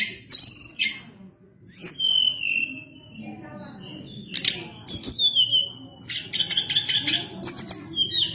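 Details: Sunda blue robin (tledekan gunung) in active song: sharp high whistles and descending slurred notes, then a buzzy rattling phrase, over a steady low hum of background noise.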